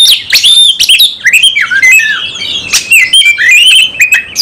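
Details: Oriental magpie-robin performing an aggressive duel-style song using its whole repertoire: sharp clicks, harsh squawky notes and slurred whistles tumbling rapidly over one another.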